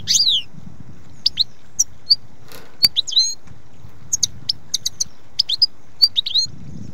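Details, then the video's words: European goldfinch singing in sparse, high, tinkling chirps and quick twitters separated by pauses, with faint low background rumble. "Chant d'oiseau - Chardonneret"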